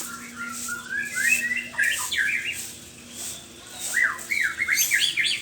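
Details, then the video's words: Morning song of a white-rumped shama: fluid whistled phrases sliding up and down, delivered in quick bursts that fade briefly around the middle before a fresh run of bright, looping notes, over a low steady hum. "ocehan burung murai batu di pagi hari"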